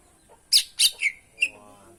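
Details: Oriental magpie-robin (kacer) masteran lure song: four separate sharp chirps, the first two harsh and buzzy, the last two clearer and whistled, spaced about a third of a second apart.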